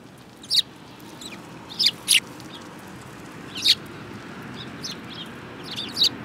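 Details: Sparrows, among them a yellow-billed one, recorded 24 February 2018; scattered short high chirps, some paired, irregularly spaced across the clip with a soft hiss behind.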